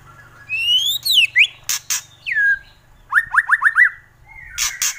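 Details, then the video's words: White-rumped shama singing in kretekan style: clear rising and falling whistles, a quick run of downslurred notes near the middle, and sharp broadband crackling bursts between phrases. "Kretekan Murai Keras"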